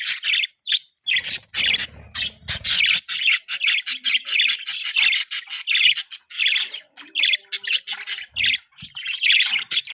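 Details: Budgerigar kept as a pet, chirping steadily: dense, rapid chatter of squeaky, grating notes with little pause, a few soft low thuds early on.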